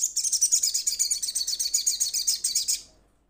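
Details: Rapid chattering series of high, piercing notes from a little spiderhunter calling its companions. About twenty pulses repeat steadily for almost three seconds, then fade out.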